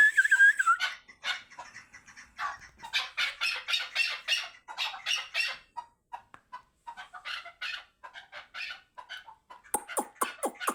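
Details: Chukar partridge, Qabodiyon, Tajikistan: a brief wavering whistle opens, then a long, irregular chorus of harsh chuck and cackling notes, some clustered and some spaced, ending in a few sharp, high, clipped calls.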